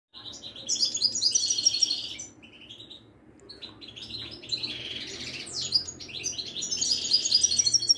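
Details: Moroccan Widani goldfinch, a kept songbird, singing a sustained twittering song of high, bright, liquid trills and buzzy notes in bursts, with a short pause midway before the song resumes, over faint low room hum.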